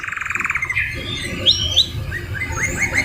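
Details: Canary song recorded as masteran (tutor) material, full of white-rumped shama–style phrases: a rapid, even, high trill of about sixteen pulses, then scattered sharp upslurred chirps and short whistles over low background rumble.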